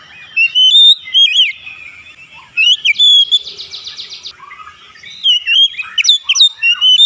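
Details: Oriental magpie-robin, locally kacer, delivering loud slurred whistles and sharp chips in spaced phrases, with a brief buzzy rattle in the middle and a lively run of rising notes at the close.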